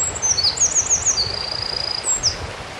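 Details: Eurasian wren song from the Kogesawa forest road in Ura-Takao, Japan: quick high twittering notes lead into a sustained rattling trill, ending with a couple of thin high notes, with steady stream noise underneath.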